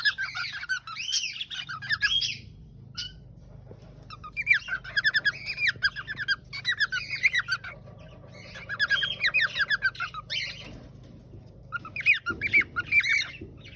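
A cockatiel sings in bursts of bright, warbling whistles mixed with scratchy chatter.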